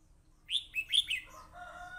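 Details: Fighting red-whiskered bulbul, recorded on a voice recorder, gives four rapid, clear whistled notes rising and falling, followed by softer, lower sustained tones trailing off.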